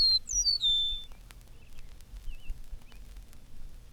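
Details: In spring, an eastern meadowlark sings from a telegraph pole in a field. It gives a quick run of high, clear, slurred whistles stepping downward within a second, likened to "It's sweet to me", then faint thin notes over low rumble; Eastern Meadowlark.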